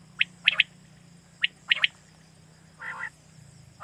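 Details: Quail call from Pakistan, played to attract quail for night hunting: two sharp, high three-note phrases, then a lower rasping note and a final burst, over a steady low hum.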